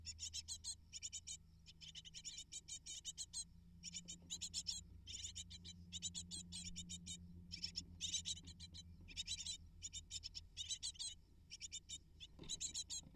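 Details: Great tit nestlings, a brood of eight, being fed by both parents: a long run of shrill, insistent begging chirps in fast repeated bursts, nearly continuous, with a low hum and a faint knock near the end.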